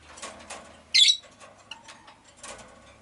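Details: Five caged Rosy-faced lovebirds kept indoors by a window; one short bright chirp stands out among faint scattered ticks and rustles, with quiet street noise beneath.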